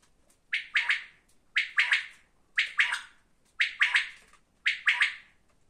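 A quail gives five loud, harsh, clipped phrases of two or three quick notes each, repeated about once a second, in a quiet room.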